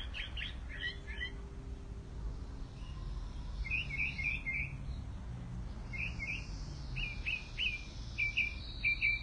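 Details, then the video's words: Mockingbird singing a varied sequence: quick high chirps, then short rapid trilled bursts, then separate repeated sharp notes and brief phrases, each phrase different, over a steady low rumble of background noise. "Mockingbird- Ruiseñor"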